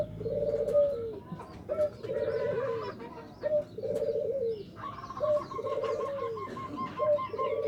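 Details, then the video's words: Local zebra dove song of the style called nutut, used to provoke rival birds: rapid trilled, beaded coos at mid pitch, each phrase ending in a falling slur, repeated in a steady series, with a higher trill from another bird and background chatter. "Pancingan perkutut lokal suara NUTUT || COCOK UNTUK MEMANCING LAWAN"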